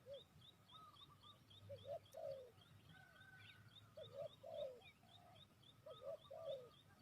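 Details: Spotted dove used as a lure for trapping, giving soft, low cooing phrases in groups of two or three notes, repeated every couple of seconds, over steady high, rhythmic ticking from other birds or insects and a low outdoor rumble.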